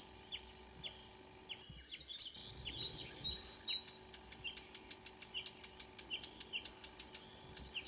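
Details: Marsh warbler singing on a June morning at 5 a.m., 2 June 2009, Kråkstad near Ski, Norway; a varied warbled phrase gives way to a fast, even series of sharp high clicks, roughly a dozen repeated notes.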